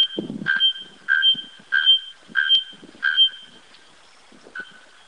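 A bare-throated bellbird gives a run of loud, ringing metallic notes, about one every half second, like a hammer striking an anvil. A faint rumble sounds at the start.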